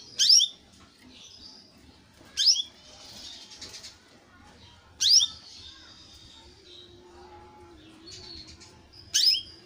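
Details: Young canary giving sharp, high chirps every two to three seconds, with faint twittering between them over a low background hum.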